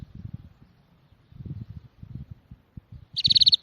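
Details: A small bird gives a quick, high trill of about six evenly spaced notes near the end, preceded by soft low thumping and rumbling background noise.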